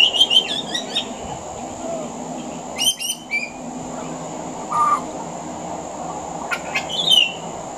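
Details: Pied butcherbird singing on a veranda, its song mixed with mimicry of other Australian birds: bursts of rapid high chirps, a short low whistle, and long quiet gaps over a steady hum.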